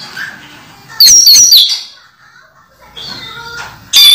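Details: Caged orange-headed thrush in moult, still in full teler-style song: a short burst of high rapid chirps, a pause, then a fainter stepped phrase and another loud burst.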